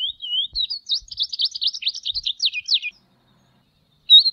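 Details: Tropeiro seedeater singing a nearly three-second phrase: two soft rising whistles lead into quick repeated slurred notes that dip and climb, ending abruptly before a single bright note; quiet background.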